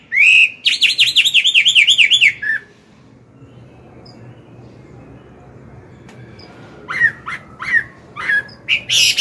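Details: Chinese hwamei morning singing to train a young bird: a rapid run of looping whistled notes for two seconds, a quiet gap with faint background noise, then scattered sharp whistles.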